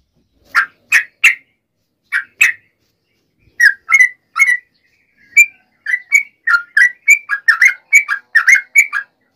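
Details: Active yellow-vented bulbul in fighting mode, used to provoke other bulbuls: short bright chirps in groups of two and three that gradually quicken into a dense, uneven chatter of sharp notes.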